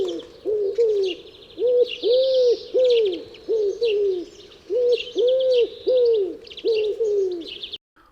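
A wood pigeon coos in soft, hollow, low phrases, the notes swelling and falling in rounded groups; thin high chirps of small birds run behind.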